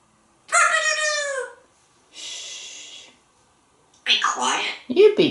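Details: Male talking African Grey Parrot indoors imitating a rooster while chatting with a woman: a drawn-out, harmonic, slightly falling crow-like call, then a softer hoarse follow-up, then rough spoken syllables.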